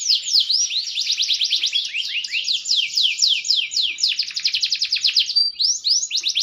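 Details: Maturing green canary singing loudly: long chains of rapid, sharply descending whistled notes repeated many times a second, shifting into a tighter buzzy trill and a few rising sweeps near the end.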